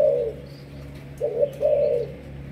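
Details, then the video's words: Malaysian-strain spotted dove used as a 'sấm thổ' decoy gives three clear low coos, one opening the recording and a close pair after a pause, each smooth and slightly rising. "Cu gáy Malaysia"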